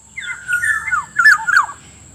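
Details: Black-naped Oriole lure call meant to draw wild orioles: a wavering, slightly burry whistle followed by two loud downslurred fluty notes, with a persistent high-pitched background tone.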